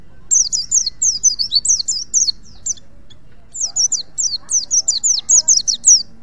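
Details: Wild white-eye from Pacitan, Indonesia, singing as a tutor recording for training other white-eyes: rapid, very high twittering phrases of quick sliding chirps in two bursts with a brief pause between, over a low steady hum.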